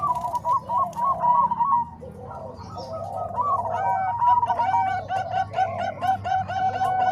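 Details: Combined voices of Bangkok and Cemani Kolbuntet zebra doves for teaching other doves to sing; a rolling, quickly repeated cooing chorus, quieter near the middle and then building into a steady layered stream.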